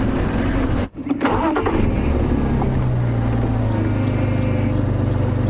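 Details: A vehicle engine rumbles steadily throughout, with a brief drop near the start and no animal voices heard.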